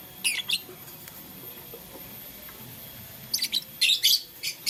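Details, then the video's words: Lovebird of blue, lutino and green plumage, playing with a flower in the morning: a pair of sharp high chirps early, a quiet gap, then a rapid cluster of harsh, buzzy chirps near the end. "LoveBird Playing Flower - Chirping Sound"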